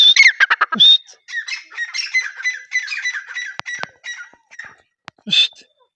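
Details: Teetar (francolin) call: a loud run of harsh, rasping notes, then a long series of buzzy, evenly repeated squawking syllables, fading into scattered clicks before a final short burst.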